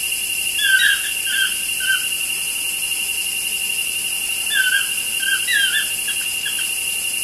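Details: Two toucans chatting outside a studio window: short squealing, downward-sliding notes in two clusters of quick calls, separated by a few seconds of quiet, over a constant high-pitched hiss and whine.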